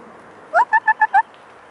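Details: Mute swan giving a quick burst of five short, nasal, hoarse notes, the first slurred downward and the rest evenly spaced about a seventh of a second apart, over a faint steady background hiss.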